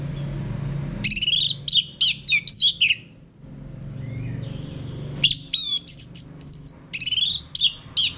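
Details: Orange-headed thrush (anis merah) prompt song meant to get a male singing in full ngeplong style: two bursts of rapid, varied whistled phrases with sharp slurred and rising notes, separated by a short pause, with low steady hum beneath.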